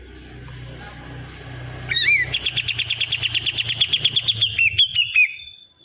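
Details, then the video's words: Sooty-headed bulbul calling loudly: after a quiet start with low hum, a fast run of bright, clipped chirps at a steady high pitch, about three per second, with a few rising, whistled inflections, ending abruptly. "burung kapas tembak suwara bising"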